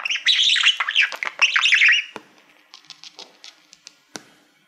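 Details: Singing male budgerigar facing a shiny award plaque he uses as a mirror. Two seconds of fast, scratchy, high chattering warble, then a string of soft separate clicks and taps.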